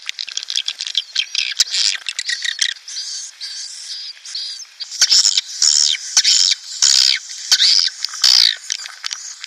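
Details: Swiftlet lure sound intended to attract breeding swiftlets into a nest house: quick stuttering chirps and clicks, then a run of louder, evenly spaced screechy calls in the second half.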